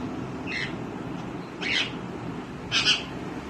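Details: A green rose-ringed (ringneck) parakeet that talks and imitates natural sounds gives three short, harsh, screechy calls about a second apart over a steady low indoor hum.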